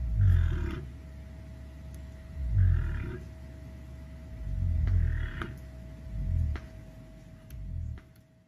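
A cassowary gives deep, rumbling booms, each about a second long, repeated every two seconds or so, with a faint steady hum behind.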